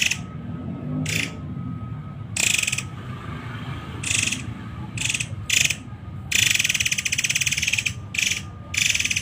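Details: Muray Air, a tutor recording in the dense 'tembakan rapat' style: loud, buzzy, rattling bursts of varying length separated by short pauses, over a steady low hum and a faint constant tone.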